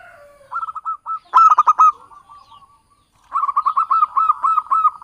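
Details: Javanese zebra dove lure song for trapping: loud rapid stuttering coos in rolling bursts, one strong harsh burst at mid-clip, then a long even train of quick pulsed notes.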